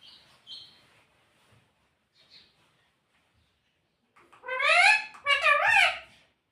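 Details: Home parrot that talks, saying "Mitthu Mitthu" and "Mummy": quiet brief notes early on, then from four seconds two loud, rich, rasping calls with rising and falling harmonics.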